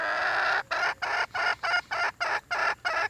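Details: Red junglefowl (wild chicken) uttering loud, rasping notes repeated steadily about three times a second, each note short and harsh with even gaps between.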